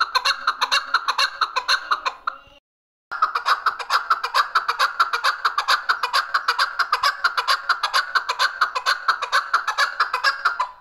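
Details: Chukar calling on June 18, 2023: a long, loud run of rapid, dry chuck notes at an even pace of just over two per second, broken by a brief silent gap, then continuing unchanged.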